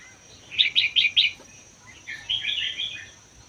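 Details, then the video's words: Red-whiskered bulbul, caged one year after capture in the Vietnam–Laos wild, song called 80% doubled, played to stimulate other bulbuls; four quick loud chirps in a row, a pause, then a longer rolling warble, a steady whine underneath. "นกกรงหัวจุกป่าเวียดลาว ชำใว้1ปี เบิ้ล80% เปิดกระตุ้นนกฟังนกร้อง"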